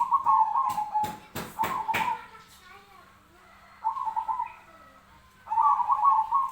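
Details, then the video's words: Recorded to train birds, a zebra dove's fighting call comes as three bursts of fast, trilling coos, the first overlaid by a cluster of sharp clicks that may be wingbeats, with quiet gaps between bursts. "Suara burung Perkutut Tarung untuk masteran"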